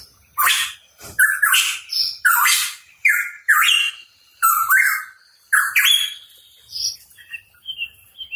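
Hooded pitohui giving harsh, rasping bursts mixed with short whistled notes, roughly one phrase per second, fading to softer scattered notes at the end.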